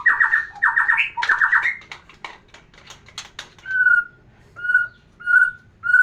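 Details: White-rumped shama singing to arouse a female for breeding: three fast rattling trills of repeated notes, scattered clicks, then short clear whistles repeated about every half-second.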